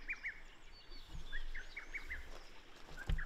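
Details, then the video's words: Early June in the Shin'etsu satoyama of Japan, a wild Lesser Cuckoo gives a series of short, punchy whistled notes in an uneven rhythm, while thin high calls of other birds and a low thump are also heard. "ホトトギス 鳴き声"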